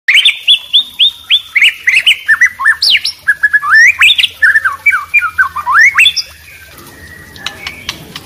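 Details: White-rumped shama of the wambi type, in a recording combined with a trucuk bulbul's song and trickling water: a fast run of loud, varied whistled notes, swooping up and down and repeated in quick bursts, fading into quiet rustling near the end.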